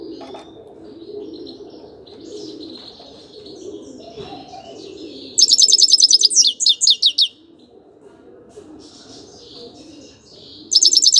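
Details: Quiet background at first, then a grey-crowned goldfinch bursts into about two seconds of loud, high tinkling twitters, falls silent, and starts singing again at the very end.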